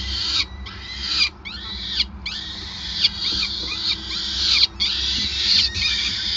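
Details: Peregrine falcon calls at the Gasunie nest in Groningen, recorded 5 May 2020 while food is handed over: a run of grating, noisy screams in bursts of about a second, separated by brief pauses.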